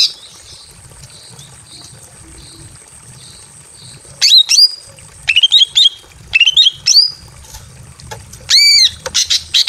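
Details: Female greater green leafbird in breeding condition calling to a male inside a simple aviary: loud sharp upslurred whistles and bent chirps after four quiet seconds, then a ringing arched note and rapid buzzy notes at the end.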